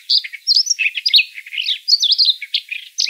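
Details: Siberian rubythroat song for luring birds into traps: a nonstop, jumbled run of high, rolling whistles, buzzy slurs and chirps, each lasting a fraction of a second.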